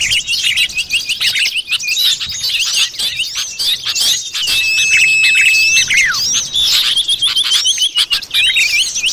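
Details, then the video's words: Lure recording of a wild common iora: a long, even whistle lasting over a second, closing with a steep downward slur, amid thick, continuous twittering of numerous birds. "suara pikat burung sirtu / cipoh"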